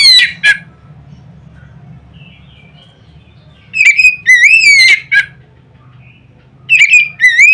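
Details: Oriental magpie-robin's loud notes intended to make other birds of its kind sing: an opening burst, a quiet gap, then two clusters of upward-slurred whistles with sharp chips, roughly every three seconds.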